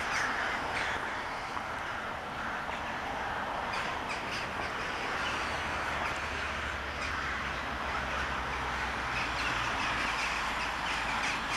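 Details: In Sevastopol a large gathering of crows, a so-called crow wedding, recorded on a Toshiba Camileo P30, produces a constant din of rough caws tumbling over one another, with a low hum running underneath.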